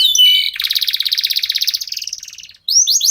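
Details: Local canary singing to set other birds off: brief whistled notes, then a long even pulsing trill that fades, a short pause, and bright rising chirps.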